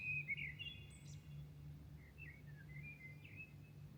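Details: Birds singing at dawn in Milan: scattered whistled notes, some sliding downward, together with a brief high squeak, all over a steady low hum of city noise.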